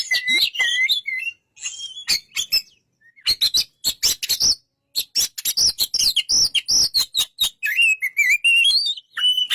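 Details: Oriental magpie-robin in full song: a varied mix of slurred whistles, quick repeated chips and harsh clicks, closing with a long wavering whistled phrase.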